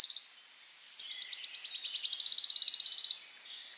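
A Wood Warbler's high, thin notes speed up into a dry, shivering trill lasting about two seconds, after a brief fragment of an earlier phrase.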